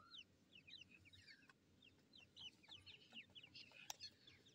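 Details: Grey francolin chicks, Dahkhni and Irani type, from a breeding setup, fighting; a dense flurry of high, thin cheeps and short chirps, many overlapping, with faint low background hum.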